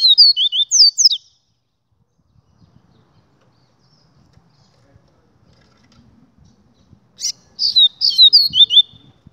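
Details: Double-collared seedeater giving a 'Gladiador' style song: fast runs of sharp, slurred, high whistled notes, one phrase at the start and another after a long pause, with faint low rustling between.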